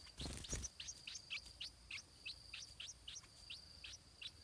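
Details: Stripe-throated bulbul chick in its nest being fed. It gives a rapid series of short, high, downward-sliding chirps, about three or four each second. A low thump sounds near the start.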